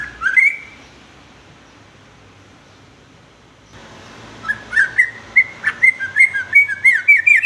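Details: Song of a sooty-headed bulbul for teaching young males varied singing; a brief whistle at the start, a long silence, then a lengthening stream of quick warbled notes.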